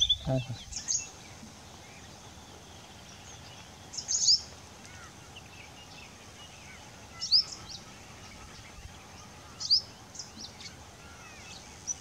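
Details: Yellow-eyed babbler still singing in September, giving brief, high, chirpy phrases every two to three seconds over a steady background hiss.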